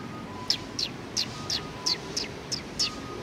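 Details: Several sparrows on a table at a community hall in Japan, recorded 28 June 2020: eight short, high, downward-slurred chirps about every third of a second, with a faint steady hum underneath.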